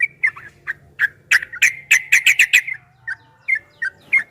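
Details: Yellow-vented bulbul singing in the rapid 'ropel' style, from a 2023 recording: spaced bubbly notes lead to a quick cluster of bright chirps, then spaced notes again.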